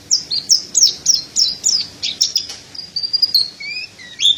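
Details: Pleci dada putih, the mountain white-eye, sings a training song for other birds. It gives a rapid series of high descending chirps about three per second, then a drawn-out thin whistle and a lower short note.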